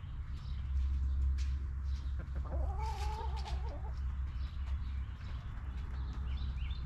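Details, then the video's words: Backyard hen in a cozy coop giving a nasal, wavering call of about a second and a half, over constant low rumble, scattered scratching clicks and faint twittering of small birds afterward. "Rooster Crowing! Hens Clucking!"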